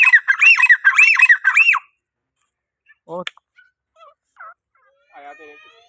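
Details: Grey francolin calling to summon other francolins: a fast burst of loud, ringing, arched notes repeated for about two seconds, then near silence with a few faint scattered chirps.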